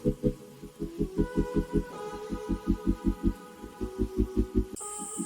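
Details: Rhythmic low throbbing pulses, about forty a minute, over a steady hum with faint held tones, like electronic music, and a brief high hiss near the end; no animal voice is heard.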